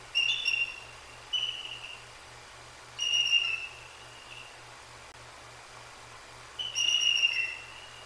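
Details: A bald eagle pair, female and mate, vocalize on a live nest camera on 1/2/24 after a Great Horned Owl's strike on the perched, sleeping female. Four high, piercing whistled notes come at irregular intervals, separated by quiet gaps, with a constant low hum.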